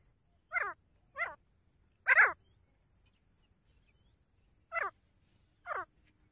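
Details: Five sharp, ringing grey francolin notes, each short and descending, in irregular spacing over about six seconds against a quiet, still background.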